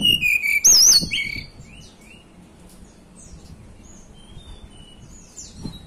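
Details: Hill blue flycatcher native to the Banten and West Java mountains opening with a loud burst of wavering, looping high whistles, then trailing off into faint, scattered thin notes over quiet background.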